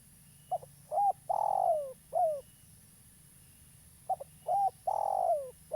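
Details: Local spotted dove used as a decoy for trapping, cooing in two close phrases about three seconds apart, each a quick short note, a looped coo, a long downward-sliding coo and a final falling note.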